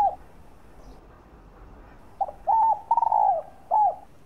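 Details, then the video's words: Spotted dove cooing used to excite and lure other doves: after a brief falling note and a quiet gap, a full phrase follows with a short note, a level coo, a long trembling downslurred coo and a final falling coo. "tiếng chim cu đất gáy kích bổi tập mồi hiệu quả"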